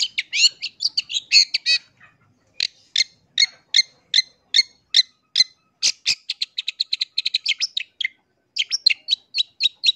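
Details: Lure song of a long-tailed shrike for provoking other shrikes: clipped, repeated chirping notes in fast runs of about two to three per second, broken by brief silences, with a quicker rattling burst midway.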